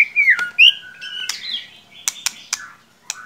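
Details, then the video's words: Murai batu (white-rumped shama) lure song for a bird that is not singing: loud swooping whistles, a long level note, then several crisp sharp clicks. "Solusi murai ngiriwik kurang gacor cukup dengarkan suara pancingan ini pasti nyangut"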